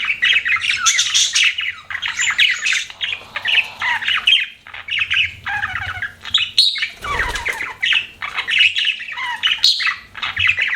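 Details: Pet budgies twitter in short bursts of scratchy, warbling chirps separated by brief silences, with a low thump or rustle near the middle.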